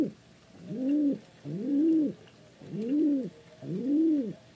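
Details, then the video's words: A pigeon gives low, soft, arched coos, about one per second, each rising and falling, with little else heard. "เสียงนกพิราบ Pigeon Sound"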